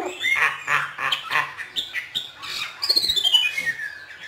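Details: Hwamei in song, kept by a northern Vietnamese bird keeper, delivering a run of harsh, squawky notes, then a series of quick descending whistled slurs.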